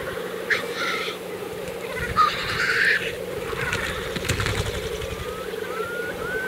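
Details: Black grouse at the lek, April 2024, Kologriv Forest, Russia: a soft continuous bubbling murmur with a few short hissing bursts, then thin rising whistles toward the end.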